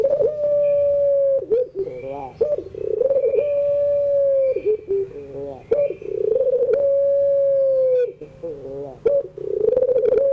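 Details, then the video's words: Long-cooing puter pelung dove at dusk, giving sustained flat coos separated by wavering, stuttering notes, the phrases following one another with barely a gap. "tangisan suara puter pelung sore hari"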